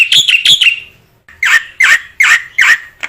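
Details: Black-winged myna song for training other mynas to sing, a rich harsh chattering series of loud buzzy notes with a short pause, then four strong repeated bursts roughly every third of a second.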